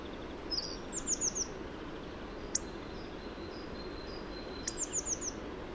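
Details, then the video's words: Hawfinch (Coccothraustes coccothraustes) song: short bursts of high, thin ticking and descending notes, two phrases a few seconds apart, with faint soft whistles and a steady background hiss. "O canto do Bico-grossudo"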